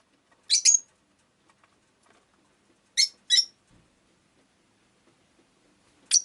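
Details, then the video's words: Shrill, scratchy chirps from a pet rosy-faced lovebird, given as a quick doubled note, then two close chirps a few seconds later and one more at the very end, with silence between. "Lovebird Chirping Sounds"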